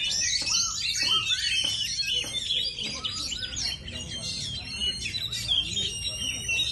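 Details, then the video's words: Oriental magpie-robin, known as kacer, pouring out fast high twittering song with quick chirps and trills repeated several times a second, over faint low hum. "Kacer NGEPET"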